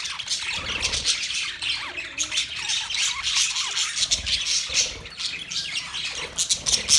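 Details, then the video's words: Budgies singing in a mating context: rapid twittering chatter of high squeaky notes and short rasping squawks, with a few lower slurred notes woven in, flowing without a break. "Budgies Parakeet Singing | Budgies mating | Budgies birds chirping sound"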